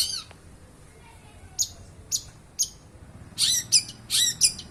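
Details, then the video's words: Long-tailed shrike, known as a fighting bird and skilled mimic, gives a few isolated sharp high notes, then a rapid sequence of harsh, buzzy chattering bursts. "Cendet burung seribu bahasa"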